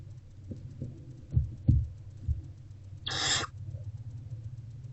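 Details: Nest-box barn owlet eating a rodent, early afternoon of 29 February 2024: several dull knocks and scuffles, then a single hoarse hissing screech of about a third of a second, over a low hum.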